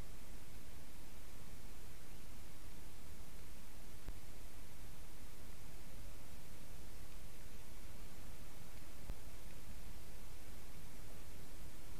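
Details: Only a steady, quiet hiss of static fills the recording, with no animal sounds.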